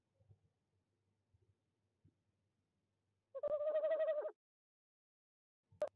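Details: Tawny owl visiting nest box 1 in De Mortel, Netherlands, 26 January 2021, 19:33 in the evening, via a nest-box camera. Soft scratching and knocks, then one trembling hoot of about a second, then a sharp knock.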